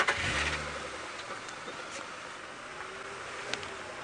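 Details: A vehicle engine starts with a loud burst and then idles with a steady hum, with a couple of faint clicks and no animal calls.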